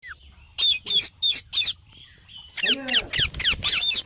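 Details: Parrot calling: four loud, harsh, rasping squawks in quick succession, then a busier burst of overlapping grating squawks and chatter.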